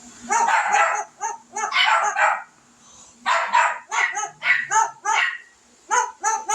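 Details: A parrot barking along with dogs, giving bursts of harsh, rough barks copying a dog, in quick clusters with short pauses between; a steady high hiss runs underneath.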